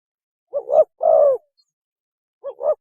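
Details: Mating call of a spotted dove, played as a lure: a quick two-part stuttered coo, then a long, soft, slightly falling coo, and the stuttered opening returns.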